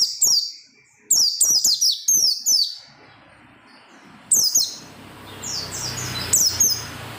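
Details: An oriental white-eye sings tirelessly to encourage other white-eyes to sing: fast strings of high, falling whistled notes in two bursts, followed by softer, more distant twittering against a light background hiss.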